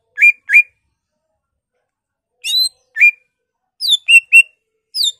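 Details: Greater green leafbird singing loudly with mimicked fill-ins named as murai, poksay, cililin, kapas tembak and canary; spaced clear whistled notes, some falling, some level, given singly or in quick groups of three.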